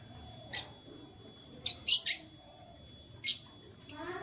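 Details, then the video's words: Morning canary chirps: isolated high tweets, then a quick run of two or three sharp chirps, and one more chirp later, against a soft background hum. "Canary Chirping Sounds"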